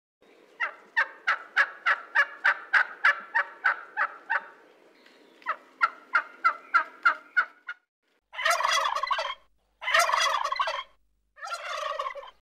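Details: A wild turkey (Meleagris gallopavo) gives quick repeated yelping notes, then loud, rattling gobbles in rolling bursts.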